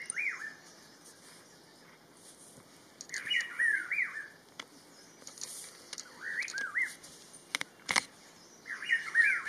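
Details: Rufous-throated partridge from an Inthanon birding trip, giving short bursts of mellow, slurred whistles that rise and fall, phrases repeated roughly every three seconds, with sharp clicks and snaps heard between phrases.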